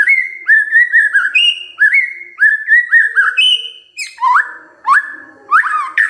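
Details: Rich whistled song of a white-rumped shama, used to stimulate other birds to sing. Short slurred phrases repeat at a quick pace, then lower swooping whistles with some harsher notes follow.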